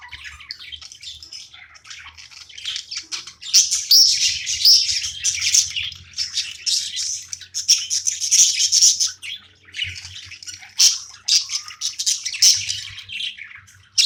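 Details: Pet budgerigar during play time indoors, giving a long run of busy, scratchy high chirps and warbles, quieter at first, then dense chattering bursts with brief pauses, faint low hum underneath.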